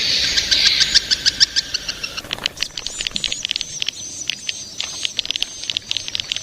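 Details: Young swiftlets start with a buzzy, high chatter, then switch to a scattered series of sharp clicks over a faint sustained high whine.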